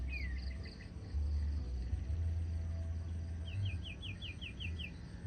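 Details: Huýt cô decoy bird rehearsing: an opening downward-sliding whistle with a few clipped notes, a pause, then a burst of about eight sharp rising whistled notes in quick succession, over a constant low-pitched background hum.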